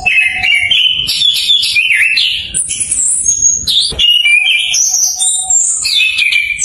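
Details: Orange-headed thrush learning to sing in full, a lure for stalled birds: continuous varied warbling with quick whistled notes climbing and dropping, and a steady low whistled tone near the start and middle.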